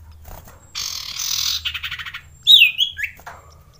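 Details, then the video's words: Male common iora (sirtu, cipoh) calling in mating mood, used as a lure for lazy birds: a harsh buzzy burst, then a run of rapid ticking notes, then a bright upslurred whistle with short squawks. "Pancingan Cipow / Sirtu Untuk Cipoh Malas Bunyi"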